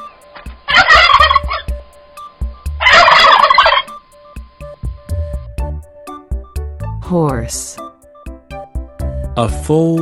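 A turkey gives two loud, rattling gobbles over soft background music.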